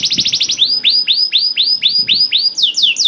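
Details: Lively canary song meant to set off silent canaries. A quick high rattle, then a series of arched, swooping whistled notes repeated about three times a second, ending in faster falling sweeps.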